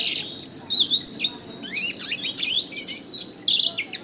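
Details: Singing canary on a bird-training recording: rapid rolling trills and sweeping whistled notes run without pause, with quick descending slurs and bright chattering phrases throughout.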